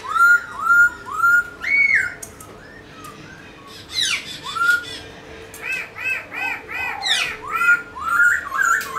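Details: Pet black-throated laughingthrush sings while dancing in a room. Rounded whistled notes repeat about twice a second, broken by harsher chattering bursts, then a run of short looping whistles.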